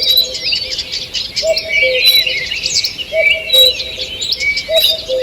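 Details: Early-morning forest birdsong, 2 June 2023: crowded high chirping and whistled notes, loud in bursts, over a faint low two-part note repeating about every one and a half seconds.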